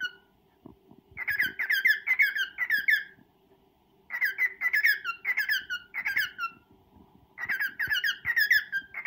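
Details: Male cockatiel courting a female indoors sings three bouts of fast, squeaky warbling, each about two seconds long with a one-second gap, over a soft continuous hum and a few light clicks.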